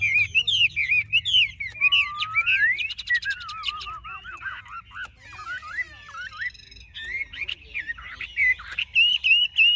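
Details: Caged Chinese hwamei, a large-bodied bird kept for sale, singing a loud, rich, continuous song of rapid varied whistles, warbling trills, rising slurs and buzzy notes, mostly high-pitched, with brief pauses and faint low background hum.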